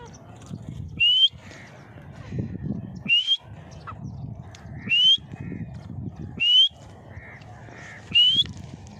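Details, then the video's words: Grey francolin calling five shrill, rising whistled notes, roughly one every two seconds, over a low rumble of background noise. "grey francolin voice"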